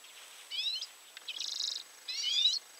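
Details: Common redpoll (Acanthis flammea) giving three dry, buzzy, high, slightly rising rattling calls about a second apart, faint background hiss; recorded at 51.880529, 20.115335.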